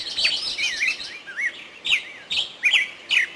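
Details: Nightingale song from Artuch: wavering, looping whistles followed by quick, sharp notes that jump upward, delivered in short bursts roughly two per second against a quiet background.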